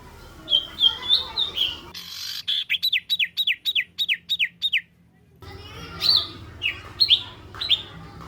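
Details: Masteran bird song, 'tembakan jitu' style: a few chirps, then a series of about eight sharp, down-slurred whistled notes at roughly three per second. After a cut, more scattered chirps sound over a low hum.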